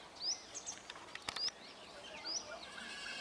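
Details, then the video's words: Brahminy starlings calling as a flock: a few sharp, rising whistled notes with softer chatter between them and a brief clicking burst in the middle. "Black-headed starling ,Brahminy myna or brahminy starling or Sturnia pagodarum Flock"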